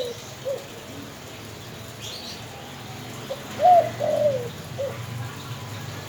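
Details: Spotted dove coos, a faint note early, then a louder phrase of two or three mid-pitched, quavering coos near the middle, over a low background rumble.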